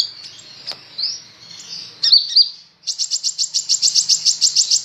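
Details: Kolibri ninja sunbird, a kept bird described as singing fairly vigorously: high thin notes and slurred whistles, then a fast, even run of sharp chips repeating several times per second to the end.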